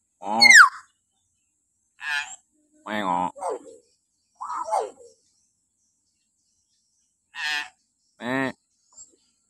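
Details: Common hill myna giving shrill morning calls, recorded as a lure for training captive mynas: a loud, steeply falling screech, then a series of short harsh, nasal notes separated by pauses of one to two seconds.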